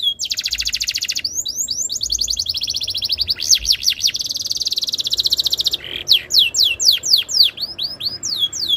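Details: Canary song used as a tutor to make other canaries sing: a fast trilled run, a steady buzzy rolling tour, then rising-falling whistled notes repeated several times a second, all high and loud.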